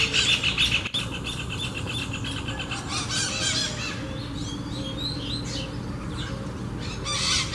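A Double-collared Seedeater sings a quick run of high, bright twittering notes with sharp chips and trills, over a steady low background hum.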